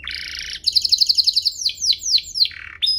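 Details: Canary singing, meant to prompt and tutor young canaries. A buzzy rattle gives way to a fast, even trill of bright notes, then several drawn-out downward-slurred whistles and a final short rising chirp.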